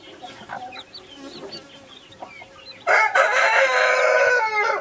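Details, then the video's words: Naked Neck broody hen keeping Brahma, Australorp and Sussex chicks: scattered thin peeps and soft clucks for three seconds, then a sudden loud, harsh, harmonic call filling the rest. "naked neck mother hen with brahma ,australorps,sussex baby chicks - κλωσσα"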